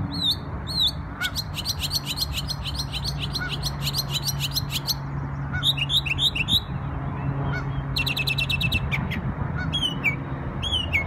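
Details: A bird singing in New York on Memorial Day: rapid bursts of sharp, high chirps and trills in quick series, broken by short pauses and a few lower slurred whistles, over a steady low hum.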